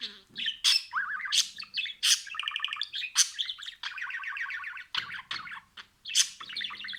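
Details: Happy budgerigar (Melopsittacus undulatus) warbling song: a fast, chattering stream of squeaks, clicks and buzzy trills.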